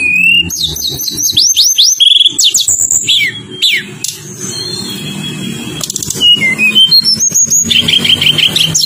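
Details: Tledekan gunung song used to coax reluctant birds, in rolling, tightly shot phrases. Rapid chirp bursts, steeply falling whistles and a rising stepped series of notes, all over a low background hum.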